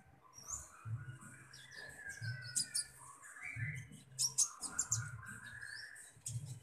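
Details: Common iora during feeding: high scratchy chatter mixed with clearer sliding whistled phrases lower down, repeated in waves over a steady low pulsing hum.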